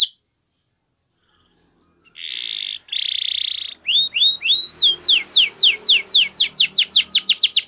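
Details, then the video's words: Training song of a Belgian canary for other canaries: after near silence, two loud buzzy rattling bursts, then a quickening series of sharp high downward-sweeping notes, several per second. "Belgie Canary Seduces All Canaries To Sing / Canary Singing For Training"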